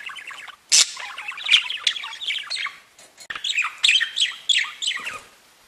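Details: Budgerigars chattering and warbling: a continuous stream of rapid twittering notes with an occasional loud harsh squawk, several birds overlapping.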